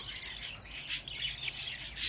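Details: Budgerigar chicks, a group of fifteen young birds kept together indoors, giving high, thin, rapid chirps and squeaky calls that overlap continuously, with a woman speaking softly nearby.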